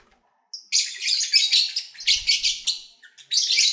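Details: Kept lovebirds, recorded at play and while feeding: a near-continuous rasping, buzzy chatter lasting over two seconds, pulsing in loudness, then a short pause and a renewed harsh, high burst.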